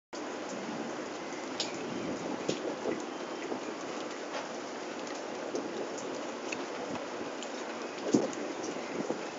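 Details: Rain patters steadily with scattered drop impacts and a louder knock near the end, and no animal voice is heard.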